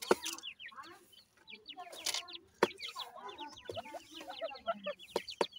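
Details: Grey francolin chicks at feeding time make many brief, high, slurred peeps in clusters, with several loud sharp clicks and bursts of scratchy noise between.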